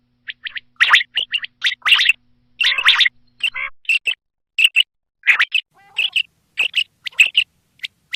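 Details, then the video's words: Common quail calling for hunting purposes, giving sharp high chirping notes in quick clusters. Brief gaps separate the clusters, and the recording is otherwise clean. "Quail sound l Quail hunting Awaz l Batair Spashall awaz"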